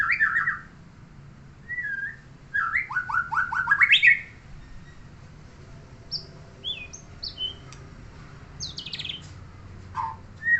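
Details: Neighbour's murai songbird sings a bright opening note, then a stuttering run of rising notes. Quieter high chips and whistles follow, and a loud phrase returns at the end.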